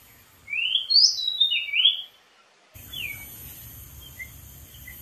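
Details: Wild Oriental magpie-robin on a dead tree singing a lively phrase of bright sliding whistles, followed by a few fainter, scattered notes after a sudden shift in background noise.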